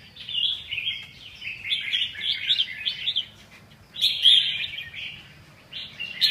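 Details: Lively red-whiskered bulbul song: a string of bubbly, slurred phrases, a short pause, then more bright warbling notes, over a steady faint low hum.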